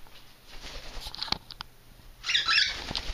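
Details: Kept cockatiel in Maine, greeted by its owner indoors, gives one grating, buzzy squawk lasting about half a second near the end, preceded by flapping wings and pattering thumps.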